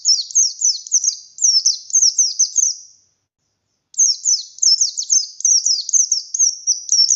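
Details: Wild-caught buxtoni oriental white-eye in full song: two bursts of rapid, high, thin chirps, each note sliding downward, separated by a one-second pause. The background is otherwise quiet.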